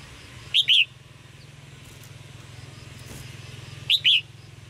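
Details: Red-whiskered bulbul chirping calls, used to stimulate male birds to sing: two short bursts, each a pair of bright whistled notes arching up and down, about three seconds apart, over a steady low hum.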